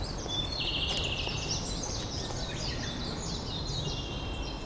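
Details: Japanese robin song, a loud ringing opening note then rapid rattling "hin-kara-kara-kara" phrases over a low rumble, recorded separately from a migrant resting early morning in a Saitama park en route to mountain breeding grounds.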